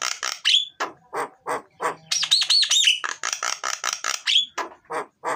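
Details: Energetic, loud myna song intended to prompt lazy mynas to sing: a dense stream of harsh chattering notes punctuated by sharp whistled upslurs and a short cluster of looping whistles, with hardly any pause.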